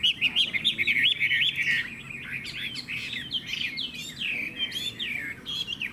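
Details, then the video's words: Caged Chinese hwamei for sale pouring out a rapid, energetic song of twisting whistled notes, repeated in quick clusters, loud at first and then slightly softer. "Họa mi hót hét tốt - Giọng hay"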